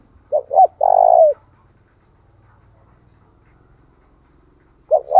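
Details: A spotted dove used to rouse wild birds into calling gives a clear phrase of two quick curled coos and a long steady one, followed by quiet, then the next phrase starting.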